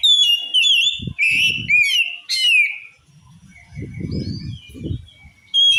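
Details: An oriental magpie-robin pours out loud varied whistles and slurred chirps in quick succession, a song said to send other magpie-robins into fury; low dull thumps fill the quieter second half.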